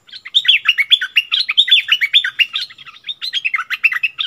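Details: Bulbul singing against a wild bird, neither giving way, March 2021; a continuous rapid stream of bright, slurred chirps and warbles, densely packed and busy throughout.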